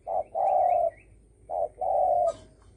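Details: Spotted dove giving two short-long coo couplets in the 'dong tho sam' style to provoke other birds, a faint wavering whistle of another bird overhead and a click at the end.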